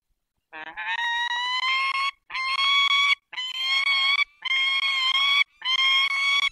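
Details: Peregrine falcons at a nest with four eggs, Barycz Valley, Poland, 20 March 2022 at 5:45: five loud, drawn-out harmonic wailing calls, each about one and a half seconds long, slightly rising, separated by brief pauses.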